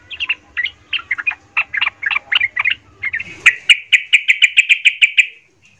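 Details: Sooty-headed bulbul in agitated, emotional song used to provoke and fire up other bulbuls: chattering, varied whistled phrases for three seconds, then a rapid run of about eleven sharp repeated notes before stopping.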